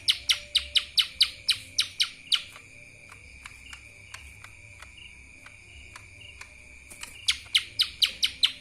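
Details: Lesser green leafbird in kapas tembak song: a fast opening run of about ten sharp falling chirps, a quieter stretch of faint scattered notes, then another rapid burst of chirps, over a constant high hum.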